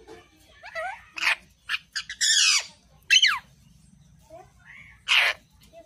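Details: Angry pet parrot talking in a burst of harsh, raspy squawks and short chirps, loud and uneven, with one long grating squawk in the middle and a final sharp cry after a pause.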